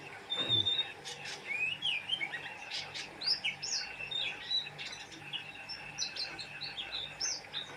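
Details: Oriental white-eye in vigorous song, a thin high whistle at the start, then twittering rising and falling notes and quick chirps coming in irregular bursts.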